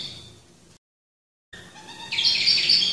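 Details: Black-throated finch (Poephila cincta) giving a burst of high, thin whistled calls in the second half, after a faint start and a brief silent gap.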